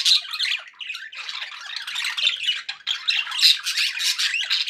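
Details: Pet budgerigars chattering happily indoors: a dense, continuous warbling of scratchy squawks, chirps and clicks, high-pitched and busy with little pause throughout.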